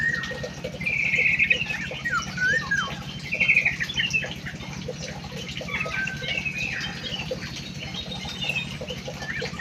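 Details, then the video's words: Munia singing two bright buzzy trills early on, then fainter whistled glides and twitters, with a steady low hum throughout. "EMPRIT KJ ISTIMEWAH MENGGEMASKAN"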